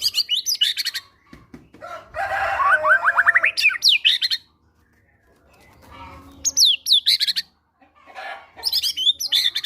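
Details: Energetic caged fighter White-rumped shama song carrying great tit (gelatik batu) material, played to prompt a silent bird to sing: bursts of very high sweeping whistles and chattering notes separated by short silent gaps.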